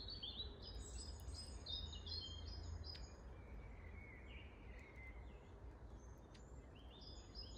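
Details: Long-tailed tit in Grunewald, recorded 20 March 2021: thin, high, short notes repeated in quick bursts, with a softer, lower, rolling trill in between. A steady low rumble runs underneath.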